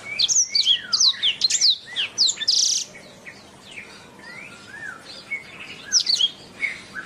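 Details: Canary singing a master song for bird training: a dense burst of sharp high sweeping notes and chirps, a quieter stretch of soft whistles, then renewed rapid notes near the end.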